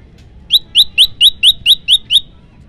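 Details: Olive-backed tailorbird in lively 'tembakan variasi' song, used as a tutor and lure recording: eight sharp, high, upslurred whistled notes, evenly spaced about a quarter second apart, over faint background hum.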